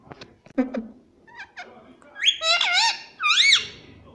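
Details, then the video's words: Pet parrot in a small room making soft clicks and chuckles, then two long, loud, swooping, voice-like calls that rise and fall. "प्यारे मिट्ठू की प्यारी बाते _ ✨🥀😘 _ Parrot voice _ Parrot cute sound"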